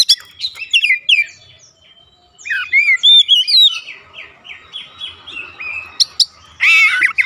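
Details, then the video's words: Oriental magpie-robin song used at home to provoke other birds into responding: varied whistled phrases with rising and falling slurs and buzzy notes, delivered in bursts with short pauses, ending in a harsher rasping burst. "AUTO RESPON NGEPLONG GACOR KACER ANDA DIRUMAH"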